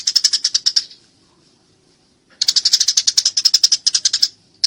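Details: Eurasian tree sparrow calling during a fight, clean recording for songbird training: a short run of quick piercing chirps, over a second of silence, then a long rattling series of rapid high notes.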